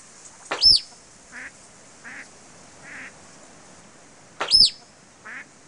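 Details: A hand-reared captive musk duck, recorded in 1987, gives short soft quacks copying a Pacific black duck about a second apart during a mate-advertising display; two loud, sharp whistling sweeps break in.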